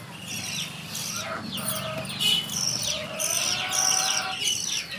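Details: Several caged lovebirds at a nest, giving a busy stream of sharp, high chirps and squeaky chattering calls that overlap continuously, with some lower notes and a faint background hum.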